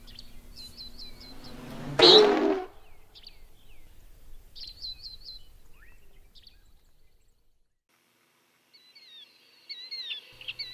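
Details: Common Nighthawk (Chordeiles minor) dive roar over grassland: a sudden rushing whoosh, made by wind through its feathers as it dives, swells and fades in about half a second amid quick high chirps and whistles from other birds.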